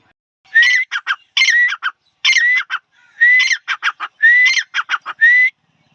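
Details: Male grey francolin calling: loud, repeated phrases, each a rising whistled note followed by a quick run of sharp clipped notes, about six phrases in six seconds, clear with no other sounds.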